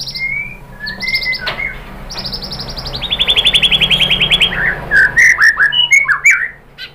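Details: White-rumped shama song used as a lure to stir another bird into singing: clear whistled slurs, then a fast even trill of about fifteen notes, ending in loud varied chirps and twisting phrases.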